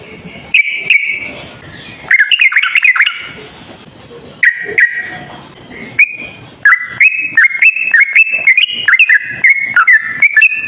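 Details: Yellow-vented bulbul song from a long trapping-lure recording: scattered whistled notes at first, then a fast, steady run of bubbly, stepped whistles in the second half.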